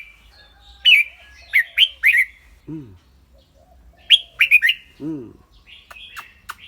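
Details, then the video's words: Red-whiskered bulbul, caged, singing clear, ringing phrases: groups of three or four sharp whistled notes separated by pauses, with two low harmonic squawks between groups and a faint hum underneath. "นกกรงหัวจุก เจ้าขวัญโชค เสียงใส ๆ ทั้งร้องทั้งริกๆสะใจๆครับ"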